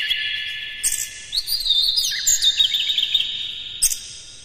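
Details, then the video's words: Energetic Oriental magpie-robin song meant to provoke other birds: steady high ringing warble, sharp chips, then fast descending and rising slurred whistles and twitters, ending with a short clipped burst. "KACER NGEPLAY GACOR NEMBAK-NEMBAK ISIAN, PANCINGAN AMPUH NAIKAN EMOSI KACER"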